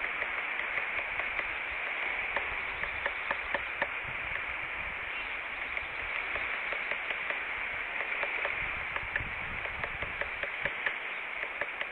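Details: Steady static-like hiss with scattered crackles and taps, like rain or wind noise, and no animal voice.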